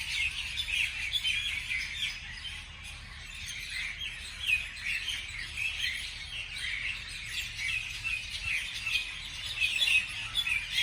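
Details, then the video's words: Morning chorus of several birds, a continuous wash of bright, high chirps and twittering notes rising and falling in loudness, with a faint low rumble underneath. "美丽的早上美丽的鸟的鸣叫beautiful morning beautiful birds chirping sounds calls"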